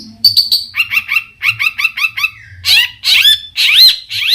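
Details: Provoking long-tailed shrike (cendet) song full of variations. High whistles open into a string of quick two-part buzzy notes, then loud, harsh, slurred phrases with upward and downward sweeps.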